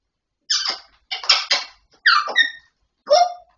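A grey parrot utters four short, harsh, word-like phrases over three seconds, with a raspy, voice-like timbre and brief pauses between them.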